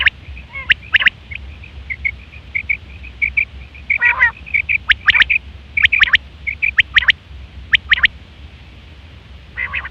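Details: Female quail call used to lure quails for hunting: quick, bright clicking doublets and triplets mixed with short soft chirps strung between them, plus one rasping burst midway, all over a constant low background rumble.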